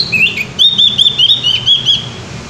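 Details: Javan grey-throated white-eye singing loudly and freely: a brisk phrase of clear, high whistled notes, each a short upward or downward slur, repeated about five times a second.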